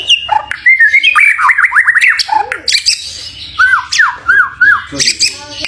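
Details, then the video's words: White-rumped shama, a prized champion bird, giving lower, squawky, mimic-like slurred notes in quick succession, repeated downward-curving whistles and a few harsh chips. "BURUNG MURAI BATU JAWARA MEWAH"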